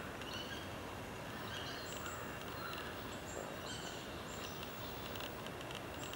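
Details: Thin, high bird chirps and short whistled notes come and go over a steady rushing hiss at Lion's Den; a persistent harsh two-syllable call, possibly a crow, and a monosyllabic clicking at the end remain unidentified.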